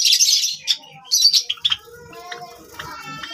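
A Java sparrow gives bursts of high, bell-like chips and clicking notes in quick, uneven runs, followed by softer twittering.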